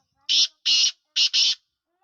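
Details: Sindhi black francolin, the lakka or kala teetar: four loud, harsh, scratchy bursts in two pairs, the final pair almost joined, in an otherwise quiet setting.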